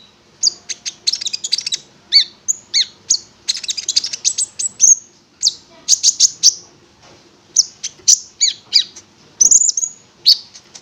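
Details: Konin (prinia) singing in a lively, chattering burst: high buzzy notes repeated in quick runs with short pauses, then clear whistled chips near the end.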